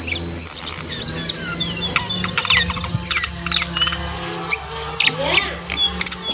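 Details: Actively singing brown jongkangan gives a rapid, busy stream of high twittering notes, quick upward and downward slurs and sharp ticks, briefly pausing near the end, over a low steady hum.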